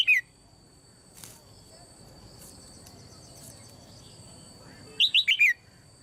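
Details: In a cage, a female red-whiskered bulbul calls to encourage other birds to sing. A clipped note opens, then after a long quiet stretch comes a rapid phrase of four descending whistles.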